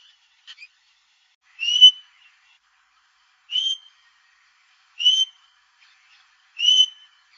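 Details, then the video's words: A domestic Australian king parrot gives four clear, high whistled notes, each short and slightly upslurred, spaced about one and a half seconds apart, against an otherwise quiet background. "Bird Sounds - Domestic Australian King Parrot"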